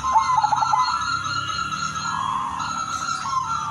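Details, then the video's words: Silver Udan Mas perkutut, a zebra dove, singing as a lure for others of its kind. It opens with a fast stuttering trill, then long held mid-pitched coos, partly masked by steady humming background noise. "perkutut udanmas silver gacor irama merdu jadi pancingan semua perkutut"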